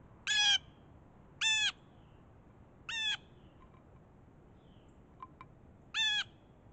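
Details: Blue jay in Raleigh, NC, during freezing weather, apparently upset at a frozen birdbath, gives four harsh, nasal jay calls, each about a quarter second long, spaced one to three seconds apart, with a few faint clicks between.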